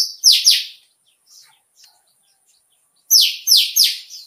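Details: Indian white-eye in líu chòe style song, meant to prompt contest birds to sing: two loud descending buzzy notes, a few soft high chips, then three more fast falling buzzy notes.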